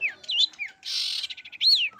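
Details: Long-tailed shrike in lively song; sweeping whistled notes rise and fall, broken by a harsh buzzy rattle in the middle, then another looping whistle.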